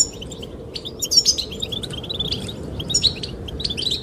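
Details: A goldfinch singing to attract the female: scattered high chirps build into quick twittering bursts with bright tinkling notes, over a soft background of wind.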